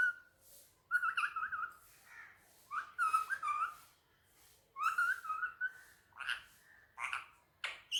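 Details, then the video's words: Indian ringneck parakeet talking in Urdu/Hindi while on a table indoors: a string of speech-like harmonic syllables with hissy consonant bursts, spaced by short pauses, ending in rising squeaky notes. "Mitthu talking on table || so cute Mitthu is very sweet talking || And lovely parrot Urdu/Hindi"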